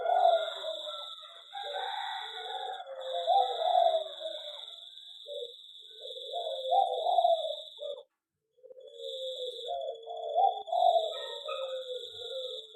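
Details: Aviary-kept zebra dove singing, said to come into full song faster in an aviary, repeating low, bubbling coo phrases with brief gaps and a constant high whine behind it.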